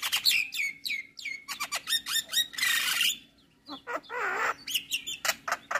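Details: Male Javan myna at morning, singing a full-fill tutor song: descending whistled slurs, a harsh hissing rasp, a wavering warbled phrase and closing sharp chirps.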